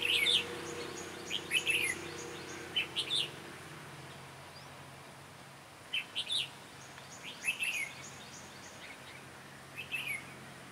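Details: Red-whiskered bulbul with a sharp, bustling voice, recorded while being trapped, repeats brief bright warbled phrases every two to three seconds, with a low hum and quiet gaps between the phrases.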